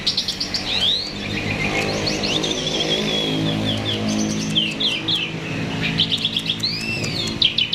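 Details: Myna singing energetically as a lure for other birds: rapid chattering phrases with rising and falling whistles and arched notes, a continuous low motor-like hum underneath throughout.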